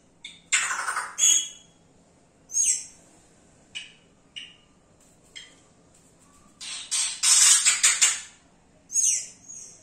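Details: Yellow-rumped cacique song full of imitations: scattered loud, buzzy, high bursts and downward-swept whistles separated by pauses, with a dense rattling cluster near the end; quiet hum beneath.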